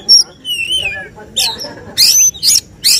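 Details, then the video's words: Oriental magpie-robin in a songbird contest, giving 'tembakan' bursts: a few clear wavering whistles, then three loud rasping bursts spaced about half a second apart, with faint background chatter. "Suara tembakan Kacer yang diincar juri saat lomba burung berkicau"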